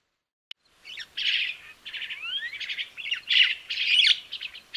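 A crested myna sings a busy, varied medley of harsh chattering phrases, rising whistled slides and squeaky notes, almost without pause.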